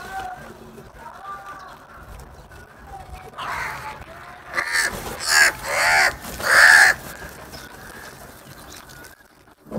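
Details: Crows fighting and eating food: after a stretch of quiet background with faint calls, four loud, harsh, rasping caws come in quick succession, each lasting about half a second, then the background falls quiet again.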